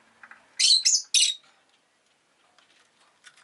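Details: Rosy-faced lovebird giving three quick, shrill, raspy chirps in a tight burst, followed by faint scratchy background sounds.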